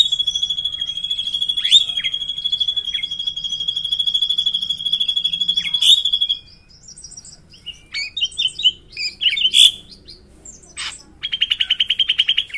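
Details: Drongo from Indonesia with a long rolling song: a continuous pulsing high whistle with sharp sweeping accents, then a pause, scattered chips and buzzy notes, and a fast stuttering trill.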